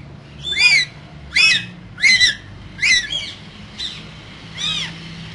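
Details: Two green parrots in a cage, one calling with repeated arched squawks, roughly one every second, fading slightly toward the end.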